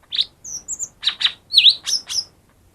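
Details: Song of the lesser green leafbird, used to coax silent birds into song: a rapid run of high chirps, thin whistles and warbled notes, about eight bright elements in under three seconds.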